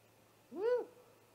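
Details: Single rising-falling owl hoot, clear and harmonic, about a third of a second long, from a great horned owl attacking a great gray owl's nest at night on 30 March 2018, picked up by a live nest camera.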